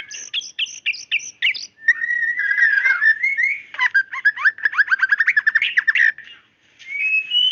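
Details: Female white-rumped shama calling to a male: high chipping notes open into a long rising whistle, then quick descending trills and piercing chips, with a brief pause before a final rising whistle. Clean recording.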